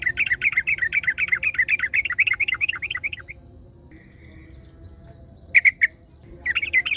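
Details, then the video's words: Yellow-vented bulbul in the wild with another bulbul replying: a long bubbly, warbling run of quick notes for about three seconds, a pause, then two brief bursts of sharp repeated chirps. "KICAU Burung Trucukan Ngalas Trucukan Lain Langsung Nyaut"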